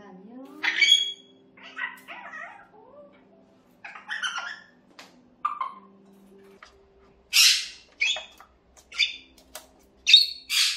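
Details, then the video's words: Noise from a pet parrot indoors. Scattered harsh squawks, growing louder toward the end with several sharp, broad screeches, over a faint low hum. "앵무새 소음편"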